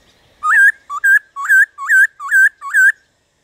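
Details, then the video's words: Loud whistled phrases from a black-throated laughingthrush, played to get other birds singing: six quick two-part notes, each rising and then levelling off, delivered in close succession. "Khướu Hót DÉO BỔI - GỌI BỔI kích thích bổi hót"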